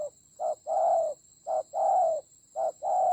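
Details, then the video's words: Spotted dove decoy bird in a fierce fight in the Central Highlands forests of Vietnam, 19 October 2020. It gives paired coos, a short note then a longer hollow one, about every 1.5 seconds. A steady high whine runs throughout. "Thổ khủng.trận chiến ác liệt có thần rắn thổi còi"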